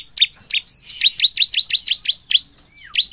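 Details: Ciblek, or bar-winged prinia, in full lively song intended to provoke other ciblek: alternating high arched whistles and sharp downward-flicking notes, repeated in quick irregular bursts with short gaps.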